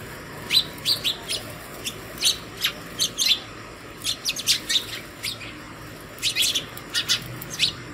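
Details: Early-morning house sparrow chirping to call fellow sparrows to food at a homemade hanging feeder; a steady stream of short, high, clipped chirps, several per second, with faint background hum.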